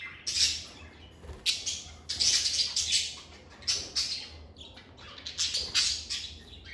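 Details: Lovebirds singing and chirping in a calm, stress-free setting: loud, piercing high squeaks in uneven bursts, some doubled, about a dozen calls in under seven seconds, with little other noise.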